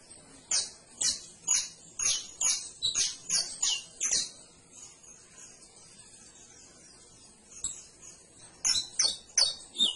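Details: Canary producing a rapid series of about twelve high, falling chirps over four seconds, a quiet gap, then another quick run of four chirps.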